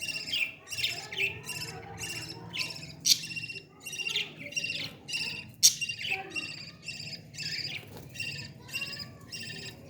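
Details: Baby parrot being fed, giving rapid harsh buzzy chirps in pulsing bursts about every half second, some louder sharp squeaks mixed in, with a low background hum.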